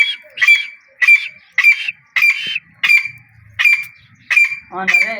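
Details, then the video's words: Grey francolin of the Dakni teetar type, kept for training, giving a long series of eight strident, metallic notes at a steady rhythm of about two per second. A brief lower, rougher sound ends the sequence, and the background is otherwise quiet. "Dakni Teetar Ki Awaz Nikalne Ka Treqa|Dakni Teetar awaz video"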